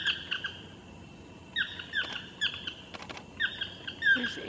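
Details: Chestnut-mandibled toucans calling from treetops above Jaco Beach in Costa Rica, their echoing chirps coming as quick yelping notes in overlapping bursts, with a few sharp clicks between calls.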